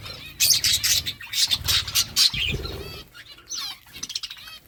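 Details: Budgerigars chirping while they eat: loud, scratchy chatter bursts in the first half, then quieter, clearer rising-and-falling chirps, with soft low thuds in between.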